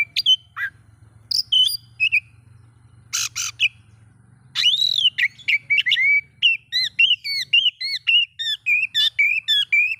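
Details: Oriental magpie-robin song meant to stir other magpie-robins: harsh buzzy bursts and whistles, then a rapid run of varied whistled and slurred notes, nearly two per second, over a low background hum.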